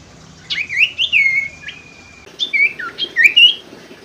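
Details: Common Iora (sirtu), used as a lure for birds that stop singing: clear whistled notes sliding up and down, a sustained level whistle in the middle, then quick rising phrases.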